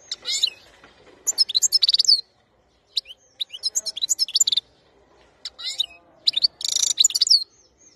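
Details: European goldfinch song from 2021: bursts of rapid, high twittering and tinkling notes with buzzy trills, three main phrases separated by short pauses.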